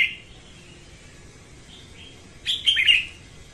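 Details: Morning song of a female red-whiskered bulbul, used for training birds and for trapping; a faint note at the start, then a loud, quick, chirpy warbled phrase of several slurred notes near the end.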